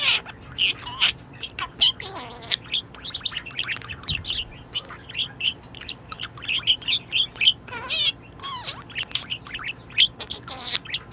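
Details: A cheerful pet budgerigar warbling continuously: dense bursts of high chirps, scratchy chatter and short bent whistles over eleven seconds, with brief gaps between phrases.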